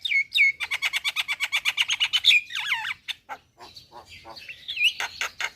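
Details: Javan myna song with a quick run of repeated chattering notes, followed by swooping slurred whistles and harsh buzzy phrases.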